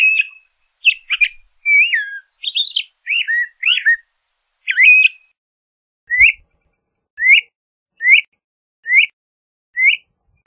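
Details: LeConte's thrasher sings a jumble of varied slurred phrases for about five seconds, then switches to a single rising whistled note repeated roughly every 0.7 seconds.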